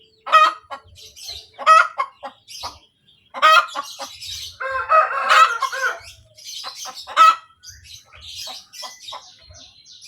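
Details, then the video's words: Hen cackling after laying an egg: sharp squawks every one and a half seconds, a noisy harsh stretch in the middle, then fading clucks amid high chirps from other birds. "SUARA AYAM SETELAH BERTELUR | AYAM BERKOTEK | AYAM BETINA BERTELUR"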